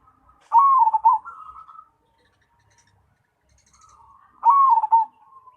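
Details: Perkutut Cemani, a zebra dove, giving two rolling coo phrases about four seconds apart, each a stuttering start sliding into a mellow, wavering descending coo with a soft trailing note; quiet otherwise.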